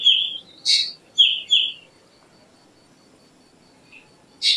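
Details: Black drongo calling: a ringing descending note, a harsh rasp, then two more clear down-slurred notes. A long pause follows, broken by one last buzzy burst.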